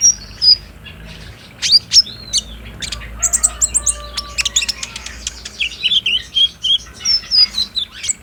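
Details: Olive-backed sunbird song used to provoke a caged bird into singing, recorded on a phone: sharp high ticks and thin whistled chirps, a dense chattering burst in the middle, then spaced bright notes.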